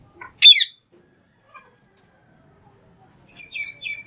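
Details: Talking green parrot making one sharp, loud screech, then a pause and a few thin, whistled chirps toward the end.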